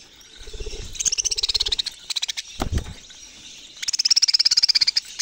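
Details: Budgerigar chattering in fast runs of rapid, evenly pulsed chirps, forming buzzy trills that stop and restart several times, with one louder low thud in the middle.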